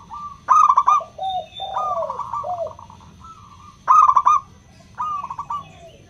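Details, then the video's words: Crystal-voiced local zebra dove, a lure for doves slow to sing: a crisp trilled coo burst, softer gliding coos, then another burst after about three seconds and a final short phrase. "Pancingan PERKUTUT LOKAL suara KRISTAL, untuk memancing perkutut susah bunyi"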